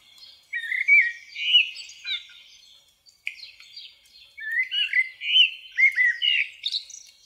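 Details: Common blackbird singing: two phrases of warbled, fluty notes around mid-high pitch, each ending in squeaky twittering, separated by a short pause.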